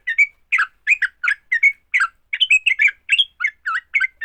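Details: Bulbul fighting song from a sooty-headed bulbul, aimed at getting other bulbuls to sing: groups of two or three bubbly, slurred notes with brief whistles between, loud and lively against silence.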